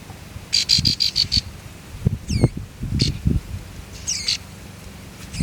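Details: Baby birds on the nest as the mother brings food: a fast run of about eight sharp, high chirps, then scattered thin downward-sweeping squeaks amid low rustling and handling noise.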